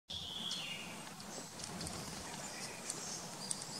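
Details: A Vernal hanging parrot gives a thin, high, drawn-out squeak that slides slightly downward, then a few faint sharp chips, over a steady hiss of background noise.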